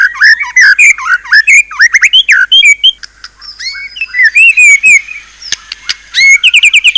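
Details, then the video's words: White-rumped shama pouring out a rich varied song of looping, slurred whistles and fast twittering notes, with short pauses between phrases. "ISIAN MEWAH MURAI BATU_PALING TOP SUARA SANGAR"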